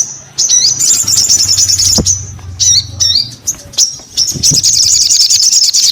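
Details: Sogon bird giving high, sharp chirps and buzzy trills in several bursts separated by short silences, ending in a dense fast twitter.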